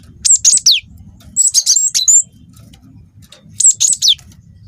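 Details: Wingko cinereous tit youngster, a persistent singer recorded as bait to provoke other birds to sing. Three short bursts of shrill high chirps, sliding whistles and downward sweeps, roughly a second apart, with faint low-pitched background noise.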